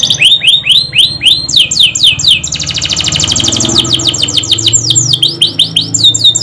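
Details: Canary singing in the Indonesian gacor ngerol nembak style, used as a pancingan to prompt other canaries: a run of loud, clear notes sweeping downward, then a fast buzzing roll, then more rapid sweeping notes. A faint low hum sits underneath.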